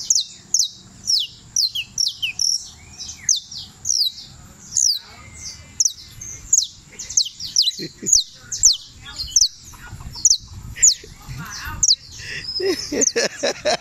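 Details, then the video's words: Canario criollo champion, Turbo, Antioquia, delivering a long series of sharp falling notes at a brisk pace. Other chirps and scratchy sounds join toward the end, becoming busier and noisier. "(El CAMPEÓN) canario criollo la lucila"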